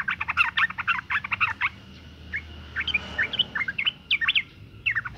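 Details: Breeding female sooty-headed bulbul calling to attract males, a call used to lure males into singing. It opens with a rapid burst of harsh chattering notes, then loose whistled chirps, some rising, over faint background hum.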